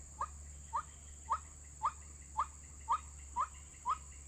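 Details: White-breasted waterhen call, a recording played as a trapping lure: short, rising, nasal notes repeated steadily about every half second, nine in all, over a constant high electronic whine and low hum.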